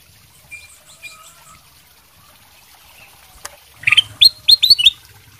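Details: Golden silky kutilang, a Sooty-headed bulbul in full song, used as a lure so other birds answer; faint soft notes first, then a quick burst of five or six loud, bright, bubbling whistled notes near the end.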